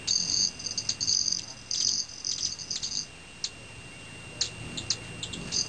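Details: Metallic ringing wing noise of male Broad-tailed Hummingbirds in flight at dusk in Teller County, Colorado, before bedtime; bursts of buzzy, shimmering trill come in short pulses over three seconds, then scattered clicks.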